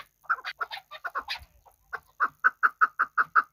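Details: Hunting chukar partridge from Kabodiyon: uneven scratchy chatter at first, then a steady run of clear, evenly spaced chuk notes, roughly five a second.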